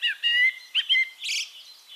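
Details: Song of a Eurasian blackbird (Turdus merula) from Castricum, the Netherlands: sliding whistled notes followed by a harsh high squeaky flourish, then softer thin notes trailing off.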